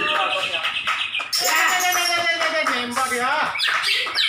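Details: Greater green leafbird at a songbird contest in Malinau, North Kalimantan, pours out a loud, rich, fast-changing song of bright whistles and sweeping phrases, with crowd chatter underneath.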